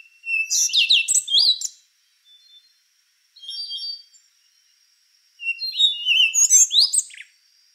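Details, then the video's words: Rufous-brown solitaire singing three phrases in under eight seconds: tangled high whistled sweeps, a softer buzzy middle phrase, then another rich burst of rising and falling notes. "Canto do Sabiá Castanho | Rufous-brown Solitaire"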